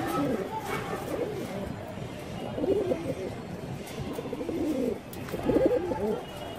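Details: Loft pigeons at a pigeon club in Manikganj giving low, throaty, rolling coos that overlap and run on almost without pause, with faint human voices and a steady background hum.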